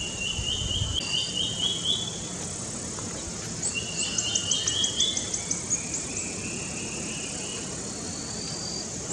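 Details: Plain flowerpecker, a low-elevation species, singing in the wind in Northeast India: thin, very high ticking notes in quick rattled runs over a steady insect hiss and low wind rumble.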